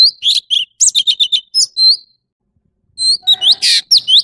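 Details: Orange-bellied leafbird song: bursts of sharp, high whistled chirps and slurred notes, quick and varied, a pause of about a second, then more rapid whistles and a short buzzy note.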